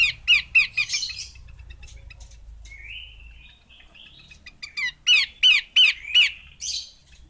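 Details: Female Horsfield's babbler: a quick run of sharp chirps, then a thin rising whistle, then another run of four evenly spaced chirps and a raspy note.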